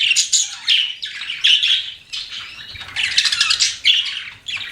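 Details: Pet budgies in close, loud chatter: grouped scratchy chirps and squeaks in bursts, with short dips between.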